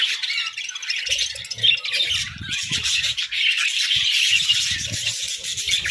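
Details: Winter breeding budgies keep up a dense high chatter of chirps and squeaks, accompanied by intermittent low rattling taps throughout.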